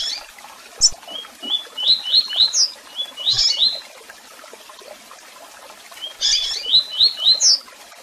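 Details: Double-collared seedeater delivering two phrases of quick rising whistles, about four notes per second, each phrase closing with a high sharp chirp; a pause between phrases and low hiss throughout.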